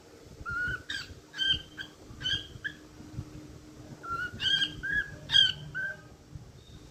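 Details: Cockatiel whistling a short tune: clear whistled notes stepping between pitches in two phrases, with sharp clicks between notes and a faint background hum.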